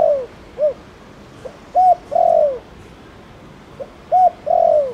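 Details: Spotted dove in Thổ Đồng style calling to prompt other doves; the end of one phrase, then two full sets of a short hoot, a long descending coo and a clipped closing note.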